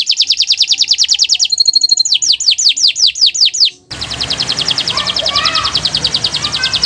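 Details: Canary song on a Friday morning: rapid repeated slurred notes, a short tinkling phrase, slower descending whistles, then after a break a fast trill over a hissing, noisier background.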